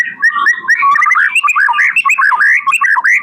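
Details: Murai batu (white-rumped shama), a male from Indonesia, giving a rich continuous song of rapid varied whistles and trills, fluty phrases tumbling up and down without pause, loud and close.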